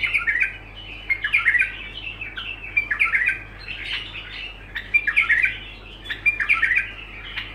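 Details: Bulbul singing continuously: short melodic warbles repeated at roughly one-second intervals, each a quick cluster of rising and falling notes, over a constant low hum.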